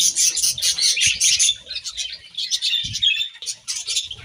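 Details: Budgerigars eating grass, chattering in fast high chirps and buzzy warbles, a loud burst at first then choppier notes, with a few low knocks.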